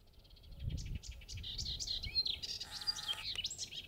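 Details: Melodious warbler in Mayenne countryside, 30 May 2022 at 11:28, pours out a fast, varied song of chattering, twittering notes and short sweet phrases, with faint low rumbling underneath.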